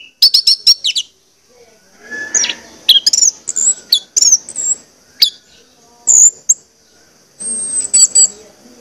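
Orange-headed thrush singing a rich, varied run of high whistles, sharp trills and quick slurred phrases, with brief pauses between bursts.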